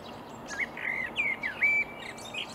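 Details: Marsh warbler in a Swedish reedbed at Upplands Väsby, early morning, May 2020; brisk string of clear slurred whistles and nasal trills, several downward-bending notes in quick sequence, with a steady low background hum.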